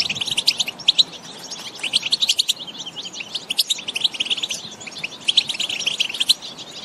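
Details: European goldfinches singing in the countryside, more than one bird: quick bursts of bright, twittering chirps and short trills, with brief lulls between the busier passages.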